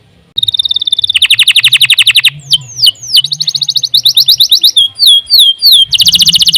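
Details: Canary delivering continuous tutor song. A loud buzzy trill starts abruptly, followed by descending sweeps, another rapid trill, a row of short down-slurred notes and a final dense trill.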